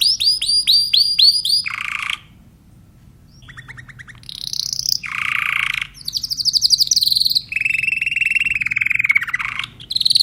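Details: Timbrado canary delivering varied tours: repeated high arched whistles, harsh rolled bursts, rapid trills and a long steady rolling phrase, separated by brief pauses.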